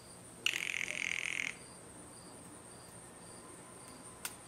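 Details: Blue jays feeding in a yard; one loud, harsh, raspy call lasting about a second, then quiet except for a faint insect background trilling in short, evenly spaced pulses and a single sharp click near the end.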